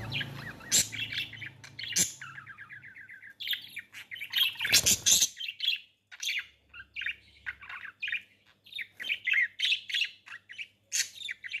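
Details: Budgerigars during mating time, kept as pets: busy warbling chatter of short chirps and squeaky notes, with a rapid stuttering run of clicks near the start and a few scratchy flutters or thumps.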